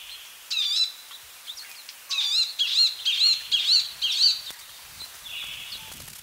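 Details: Palestine sunbird delivering a run of bright, high, repeated chirps at roughly two per second, opening and closing with softer buzzy notes.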